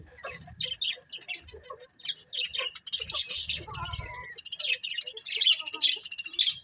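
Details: Several colourful budgerigars twitter busily, with scratchy high chirps, a few short whistled notes and scraping chatter building into near-continuous warbling.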